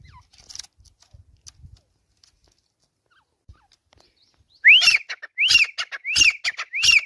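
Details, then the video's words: Grey Francolin kept in a cage, calling on a swing perch. The first seconds are nearly silent with faint knocks, then a rapid series of rising whistles with sharp clicking bursts begins near the end. "Teetar ki Jhula Par Awaz | Dysi Teetar Ki Masti | تیتر کی جھولا پر آواز | Francolin voice"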